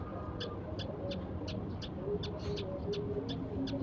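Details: Sparrows at breakfast at sunrise, only a few present, give a run of brief high chirps at an even pace, about three per second, above a constant low rumble of background noise.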